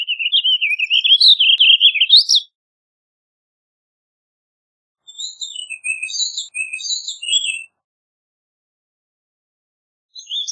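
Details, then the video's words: Warbling vireo delivering a long, run-on warble of quick, wavering slurred notes for two and a half seconds, then a thinner, higher phrase of separate chirped notes after a pause, and a brief final fragment. "Warbling Vireo Bird Singing, Calling, Chirping, Sound - Vireo Gorjeador Canto - Vireo Gilvus"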